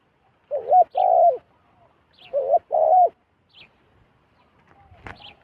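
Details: Two loud double coos come from a wild zebra dove coming down to a decoy: a short bent note, then a longer rolling one. Faint high chirps follow, and a sharp click sounds near the end.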